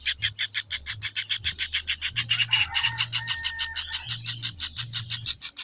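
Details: Young kingfishers give rapid rasping bursts in quick succession. Brief thin whistled tones from another bird cut through midway, over a low droning hum.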